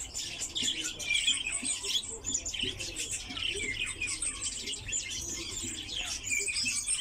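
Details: Lesser short-toed lark kept in captivity, rare among collections, delivering an unbroken, hurried warble of varied high twitters and buzzy chirps, with soft low sounds faintly audible beneath.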